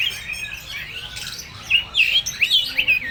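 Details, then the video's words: Kacer (oriental magpie-robin) full materi song: a soft, wavering whistle, then a series of loud, sharp, upslurred notes in quick succession. "Suara burung KACER full materi"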